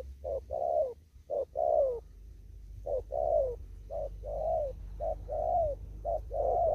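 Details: Spotted dove in a Vietnamese upland field, Kon Tum, repeating đồng thúc gù coos: a quick clipped note leading into a longer falling coo, repeated steadily roughly once a second, clear and close.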